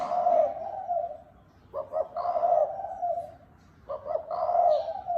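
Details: A spotted dove gives repeated 'thúc bổi' coos. Two brief clipped notes lead into a sustained mellow coo, and each phrase is followed by a short pause.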